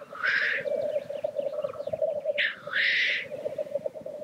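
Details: Displaying black grouse at a lek. Two broad, rushing hiss-sneezes, each under a second long, stand over an unbroken low bubbling chorus.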